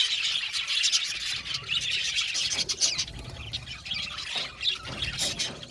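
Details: Budgerigars chirping and singing: dense, continuous high twittering and chattering from many birds at once, with short scratchy notes and a few louder bursts, plus low rumbling background noise.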